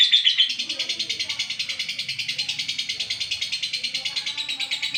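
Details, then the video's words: Steady rapid pulsing chatter from an olive lovebird's long-duration song, buzzy and high, beating in regular strokes after a louder squeaky opening; faint low background sounds. "love bird olive durasi panjang"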